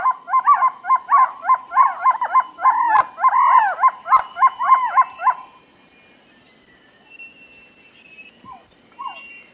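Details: Two trogon call series overlap in a rapid run of hollow, downslurred notes. The calls stop after about five seconds, leaving a quiet forest with a few faint, distant notes and two sharp clicks.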